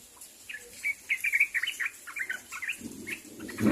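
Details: Sooty-headed bulbul calling companions: a quick sequence of short bubbly whistled notes, fading toward the end as a rustling noise rises.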